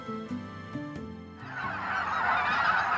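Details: A large flock of snow geese (Anser caerulescens) in the central flyway gives a dense, overlapping chorus of high, yelping honks over steady background music.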